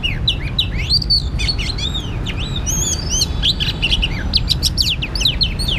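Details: Oriental magpie-robin song during bird trapping: a rich, continuous sequence of clear whistles, upward and downward slurred notes and quick chirps, tightly packed and varied, with a low steady rumble underneath.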